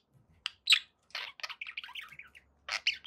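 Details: Happy pet budgies chirp in short bursts: a few sharp squeaks, then a rolling string of buzzy warbled notes, a pause, and two final scratchy chirps.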